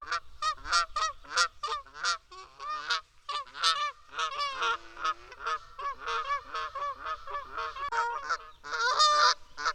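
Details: Canada goose, wild, in Canada, cackling and honking: a dense series of loud nasal honks, many overlapping in quick succession, as from several geese calling together, with harsher screaming notes near the end.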